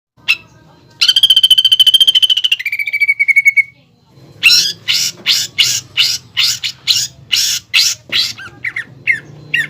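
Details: Greater green leafbird singing actively, used as a lure and master song with 'pelatuk bawang' filling for training caged birds for contests; a long buzzy rattling trill, a steadier trill, then a series of sharp, evenly spaced chips.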